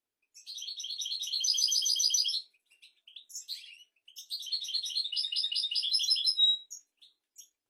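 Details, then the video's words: European goldfinch song of the royal type, played to teach goldfinches and canaries: two long bursts of quick tinkling twitters and trills with buzzy accents, split by a short gap of scattered chirps. "تغريد طائر الحسون ملكي 👑♥️ لتعليم طيور الحسون والكناري بدون أخطاء"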